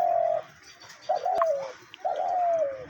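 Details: Decoy dove used for hunting, which began cooing on seeing its keeper, giving three low, hollow coos, each gently falling at the end, with a single sharp click between them.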